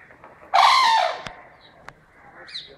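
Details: A zoo bird screams like an elephant: one loud, harsh, trumpeting blast about half a second long, dropping slightly in pitch, followed by faint clicks and a brief higher squeak near the end.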